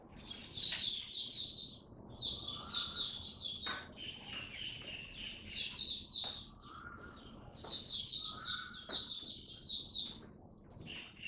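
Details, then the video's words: Hobby-kept Oriental white-eye in a cage singing buka style during a first-day supplement trial: long runs of rapid high chattering twitters broken by brief pauses, with occasional lower whistled notes and faint background hum. "Mata Puteh Buka Sing"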